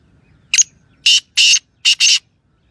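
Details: Sindhi francolin (titer) giving its call: a short rough note, then two grating bursts and a closely spaced pair, loud and harsh, with a quiet background.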